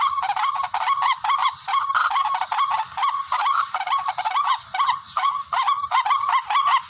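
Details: Tikling, the barred rail, calling as a hunting lure: loud nasal honks with a rising-then-level shape, repeated quickly at roughly two per second with short gaps.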